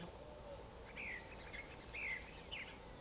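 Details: Faint song of a creamy-bellied thrush: a few short, slightly descending chirped notes spaced irregularly, with steady background noise throughout.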